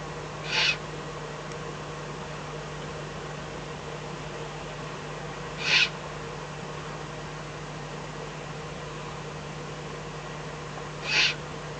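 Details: Eurasian eagle-owl in the Eifel at night on 24 May 2014, with a fox brought as food; three short, harsh hissing bursts spaced about five seconds apart over a steady low hum.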